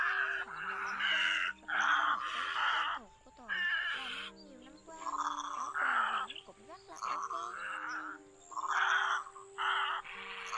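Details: Black-billed little egrets in a lure recording for night-net trapping, with male and female calls, give harsh, guttural 'ot ot' squawks in one-to-two-second bursts, sounding like biting, quarrelling birds, over a steady electronic hum.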